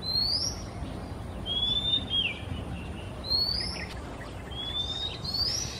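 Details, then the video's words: Male Oriental magpie-robin singing in the quiet of an afternoon in Singapore, moving from perch to perch: clear, high whistled phrases, several sliding upward, five short phrases spaced about a second apart over a low steady background hum. "Sweet singing Male MAGPIE-ROBIN, Singapore"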